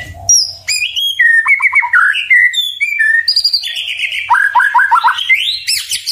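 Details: Murai batu, the white-rumped shama, delivering clear whistled phrases that shift pitch, then a fast stuttering series of dropping notes and a rising whistle at the end.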